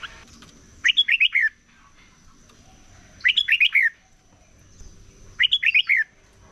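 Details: Red-whiskered bulbul singing in the morning for competition training; three clear, evenly spaced phrases of about five rapid rolling whistled notes each, roughly every two and a half seconds, with quiet pauses between.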